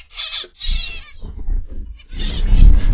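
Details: Afternoon of 29 November 2021 in a zebra finch aviary: a few loud nasal honks in short bursts over heavy low rumbling noise that swells toward the end.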